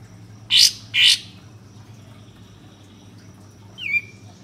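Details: Bulbul used as a lure to make birds sing and fan their tails: two loud, harsh bursts half a second apart, then a single sharp whistle that drops quickly in pitch, over a low background hum.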